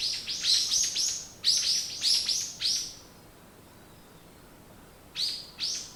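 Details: Loud, close morning birdsong: a series of high, bright, downward-sweeping chirps in quick runs, a few seconds of near silence, then two more sharp chirps.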